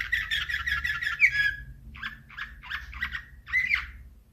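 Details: Slavujar canary song from 2024, a rapid rattling roll followed by separate warbled chirps about every half second, with steady low hum behind.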